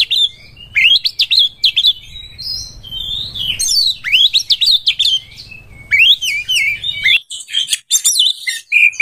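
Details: Breeding-condition Oriental magpie-robin singing as a lure for other birds: rapid loud zigzag whistles and sharp chirps in dense phrases, ending with high thin notes and a sustained whistle.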